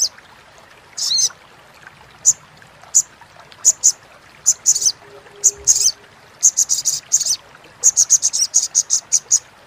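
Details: Crimson sunbird, known as sogok ontong, chattering crecetan for training competition songbirds: scattered high ticks that grow into a quick, rhythmic run of buzzy notes toward the end, with faint low hum.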